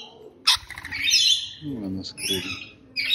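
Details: A sharp rainbow lorikeet shriek opens, followed by a drawn-out buzzy screech and a further rasping call. Softer low murmuring sounds sit in between.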